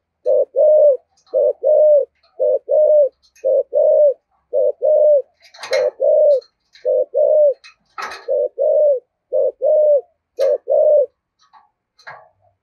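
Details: Spotted dove in the 'giọng thổ' voice with 'thúc gù' cooing: a steady series of soft, low doubled coos, each a short note then a longer hollow one, with scattered clicks and taps in between.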